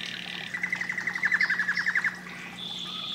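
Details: Canary giving a single rolling trill of about fifteen quick descending notes, over a noisy hiss and low hum.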